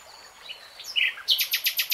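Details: Common nightingale (Luscinia megarhynchos) in woodland: a few thin sliding whistles lead into a burst of loud, rapid, clicking repeated notes, about six in quick succession.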